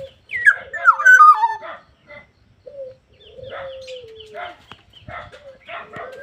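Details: Black-naped oriole opening with a loud cascading fluty phrase, then long low sliding whistles and bursts of harsh, nasal chatter.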